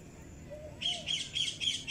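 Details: Cockatiel parrot kept as a pet, starting with a soft low whistle, then four loud, shrill squawks spaced about a quarter second apart.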